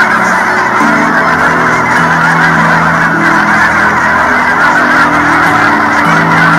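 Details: Migrating Canada geese in Colorado during winter: many birds honking together in a thick, unbroken clamor, while low sustained music notes play beneath the flock.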